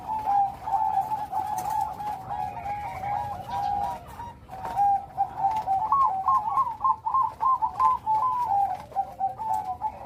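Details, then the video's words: Loud Bangkok-type zebra dove singing a complete rhythm: continuous wavering coos, then a lively run of rapid, jumping notes repeated several times per second before settling into lower tremulous coos. "Burung perkutut bangkok gacor.Suara besar. Irama lengkap."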